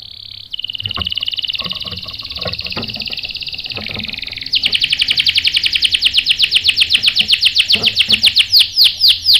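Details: Canary, a female in breeding condition calling the male, played to provoke males into singing: a long buzzy high trill followed by a fast, steady roll of sharp repeated notes ending in rising swept chirps, faint knocks in the background.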